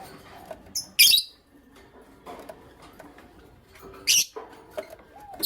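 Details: Pet lovebirds of creamino and lutino opaline colouring in the morning give two loud, shrill, raspy chirps about three seconds apart, with faint softer chatter and small clicks between them.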